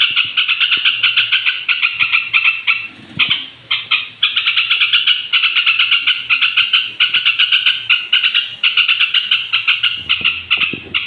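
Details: Bedtime song of a straw-headed bulbul, used to raise the temper of other bulbuls; a long, nearly unbroken stream of fast, repeated chattering notes grouped into short bursts, with soft low rumbles underneath.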